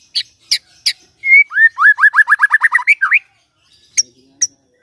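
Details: White-rumped shama in the morning, song played to make a silent shama sing: a few sharp clicks, then a quick series of about twelve rising whistled notes, ending with isolated high ticks.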